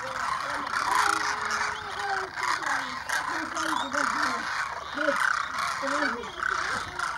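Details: Demoiselle cranes, a flock of about 2,500, flying overhead and coming in to drink at a small lake at Keechan, Rajasthan, India, January 2016; a dense, continuous chorus of overlapping rolling, trumpeting calls, with wavering lower notes rising and falling.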